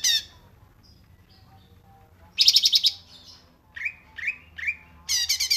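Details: Cungkok song used as a tutor recording for songbirds: a brief buzzy burst, a pause, a harsh rattling phrase, then three quick slurred notes rising and falling, and another rattle.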